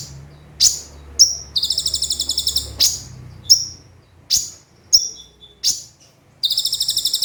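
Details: Javan white-eye (konin) in full song for training: sharp, high, downslurred chips every half second or so, alternating with fast buzzy trills of rapidly repeated notes; nothing else is heard.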